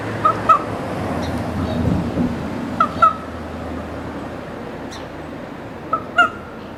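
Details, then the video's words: A common raven in downtown Juneau, Alaska, early morning of 28 June 2019, gives three pairs of short, ringing two-note calls, each pair about three seconds apart, over a steady low rumble of city traffic. "Raven Squawking"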